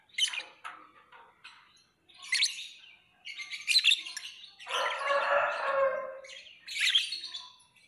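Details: Lovebird calling in loud, separate bursts of sharp, shrill chirps about every second or two, with one longer, harsher squawking phrase in the middle before a final bright chirp burst.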